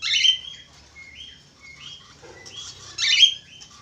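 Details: Budgerigar twittering song: a buzzy opening burst, then a run of soft short whistles at a steady pitch, ending in another scratchy burst.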